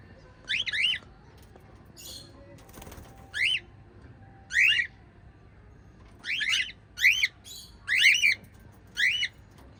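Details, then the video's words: Chirping from a group of five lovebirds: sharp, scratchy notes bending up then down, several in quick runs, with a soft wing-like rustle near the third second against a quiet, low hum. "Five Little LOVE Birds Chirping Sound"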